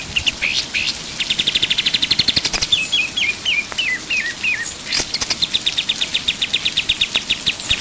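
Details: Lively pied triller song, a tutor recording for songbirds: long, fast, even trills of high notes broken by a short series of falling stepped whistles, with the trill returning strongly afterward.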